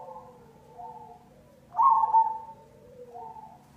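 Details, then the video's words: Cemani-variety zebra dove giving its lure song, with gentle cooing phrases leading into one strong, quavering double coo, then a fading soft note. "Pancingan perkutut cemani"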